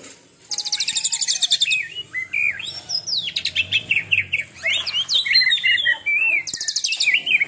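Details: Oriental magpie-robin in a new fiery 'tembakan' song, loud high rattling trills alternating with rising and falling whistled phrases, a varied, continuous and energetic delivery.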